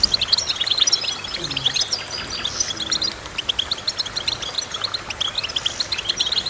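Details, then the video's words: Goldfinch singing in a lively jumble of short, high chirps and trills, with a faint low gliding tone in the first seconds. "Goldfinch Chirping"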